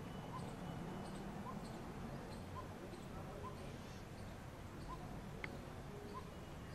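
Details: Two Coppersmith barbets going to feed their chicks, heard from atop a house: a measured series of soft, hollow tuk notes at a regular beat, one sharp click partway through, over continuous low background noise.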